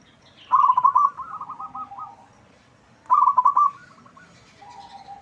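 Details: Loud local zebra dove song meant to set other birds answering: two bursts about two and a half seconds apart, each a fast rolling coo run followed by softer descending notes.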